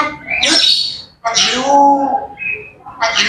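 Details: Grey parrots in the morning giving harsh, broad squawks mixed with a lower, drawn-out harmonic note that bends slightly, then another rough burst at the end.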